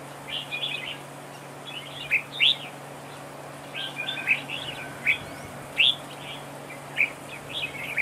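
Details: Decoy red-whiskered bulbul in a trap duel gives spaced, loud rising whistled notes mixed with softer chattering phrases, about one strong note every second, with a low constant hum behind.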